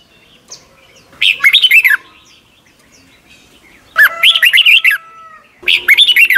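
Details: Young caged birds in Thailand learn from this Red-whiskered bulbul song: three quick warbled phrases of bubbly rising and falling notes, with a steady faint whistle-like tone lingering after the second phrase.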